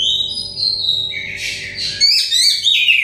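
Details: Kacer, the Oriental magpie-robin, dakon type: a long steady whistle sliding down, followed by busy twittering phrases and sharp rising notes; recording intended as singing therapy for stressed birds.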